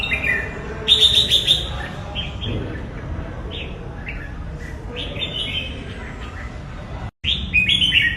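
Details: Red-whiskered bulbul giving quick chirpy whistled phrases, a loud burst at the start, softer scattered notes in between, then another bright phrase after a brief silent break, over low background rumble.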